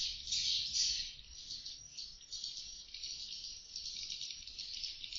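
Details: Indoor CCTV recording of swiftlets chattering inside a two-floor swiftlet house, a dense high twittering chatter that peaks loudly in the first second, then continues as a softer, unbroken buzzy flutter.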